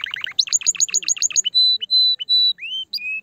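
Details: Canary song for stimulating a female: quick repeated chirped notes, then several long pure steady whistles separated by short gaps, a rising slur and a final flat whistle.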